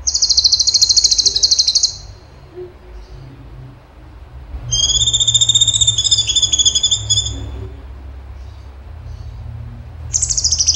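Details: Cucak cungkok in energetic 'tembakan' song: a high buzzing trill of rapid repeated notes, a pause, then a longer layered rattle that slowly falls, and a third burst starting at the end.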